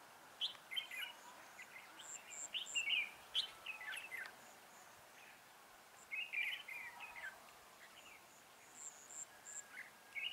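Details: Red-whiskered bulbul at a trap with a decoy bird, 19 December 2016: bursts of lively, slurred warbling phrases separated by short pauses, with a faint high, thin repeated tone and outdoor background noise.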